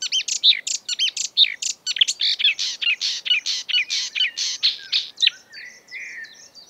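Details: A breeding-season marsh warbler, known to copy European and African birds, delivers a lively stream of quick, loud chattering notes. It ends in softer rising and falling whistled slurs.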